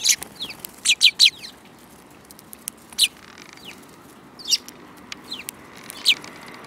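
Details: Several sparrows recorded in March 2018 give short, sharp, high chirps in quick bursts, some doubled or tripled, separated by brief pauses against a quiet background.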